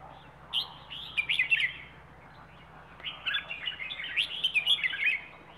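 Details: Rayong wild bird kept for song, performing the 'plai ho' style: two bursts of rapid, bright twittering and warbled notes separated by a quiet pause, with a faint low hum beneath.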